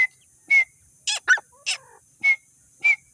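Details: At feeding time, grey francolin chicks from Sindh utter short whistled peeps mixed with rougher, buzzier notes, about two per second.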